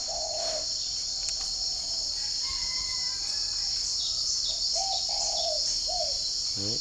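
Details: Spotted dove at a breeding garden in Ba Vi district, Hanoi, exchanging calls with wild doves outside in the morning. A soft hoot opens, then several low, rounded coos arrive late, beneath a constant high insect whine.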